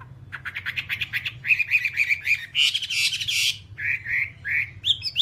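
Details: Whambie song of harsh squawky notes and repeated whistled chirps, a loud noisy burst in the middle, ending with high bright rising whistles.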